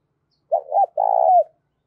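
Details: Spotted dove in the 'thổ cục đình' voice style, a decoy calling to lure wild doves. One deep phrase: a quick double note followed by a long, smooth coo that fades slightly downward.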